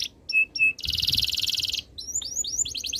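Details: Canary song opening with two short clear whistles, a loud rapid buzzing trill, then quick rising chirped notes in a fast series.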